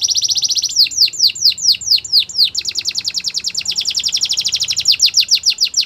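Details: Canary singing a training song: a rapid trill opens into a series of swooping descending notes, followed by a long, fast, evenly pulsed rolling trill, all high-pitched and bright.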